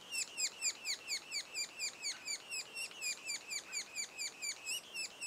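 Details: Sapsuckers at a nest, two days before first fledging, give a steady stream of high, harsh, down-slurred notes, about two a second, overlapping as if from several birds at once.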